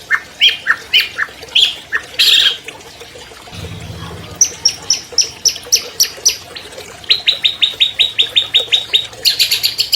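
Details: Long-tailed shrike, albino, a 2020 champion whose song lures silent caged birds into singing: varied chips and squeaks, then rapid even series of high clicks, ending in a dense burst of sharp notes.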